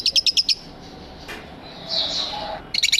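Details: Aviary lovebird uttering a rapid run of five sharp, high chirps, then a brief raspy squeak, and another fast burst of clipped chirps at the end.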